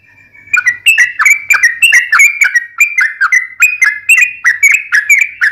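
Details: Energetic trucukan song in the fighting style: quick chains of liquid, warbled whistles that rise and fall, delivered in a steady stream over faint low background hum, with crisp high clicks between the phrases.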